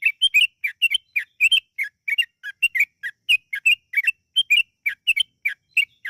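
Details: Yellow-vented bulbul song played to prompt bulbuls into long, lively singing: a continuous run of sharp, bubbly whistled chirps, about three to four notes each second, with no background sound.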